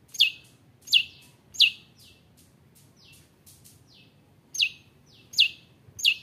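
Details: Long-tailed shrike singing vigorously as a lure to stir other shrikes into singing and fighting: quick series of shrill, steeply falling notes, a short pause of softer chips, then the loud falling notes resume.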